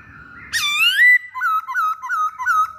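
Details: Masked laughingthrush singing: a loud upslurred squealing whistle, then four evenly spaced, clear looping notes repeated about every third of a second, with faint low background noise.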